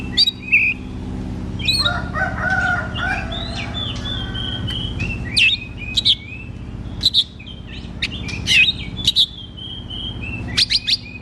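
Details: Varied song of a white-rumped shama, used as training for a bird that sings little: clear whistles, sliding notes and sharp high chips in irregular phrases over a constant low background hum.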